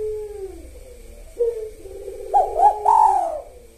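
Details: Spotted dove singing in the 'kuk satu' sahur rhythm. Soft, low, sliding coos lead into a louder phrase of two quick coos and one long, descending, hoarse coo. A steady faint hum runs underneath.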